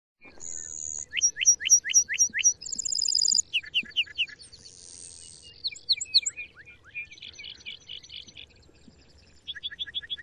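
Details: A male lark bunting near Route 69, possibly singing in flight, gives a simpler song than another male's. It has runs of sharp down-slurred notes, a buzzy trill, rapid chattering phrases and high whistles, changing pattern every second or two.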